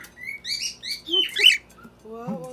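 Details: Pet Lutino Red-eye Cockatiel, female-named companion raised in the Philippines, singing in the background while another cockatiel joins a family dinner table: short whistled harmonic notes and bright warbled phrases, with a lower voice murmuring near the end.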